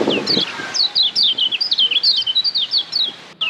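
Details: Kecial kuning, the Lombok yellow white-eye, sings a tutor song for caged birds: a steady string of high, clear slurred whistles repeated several times a second, with a soft low thump at the start.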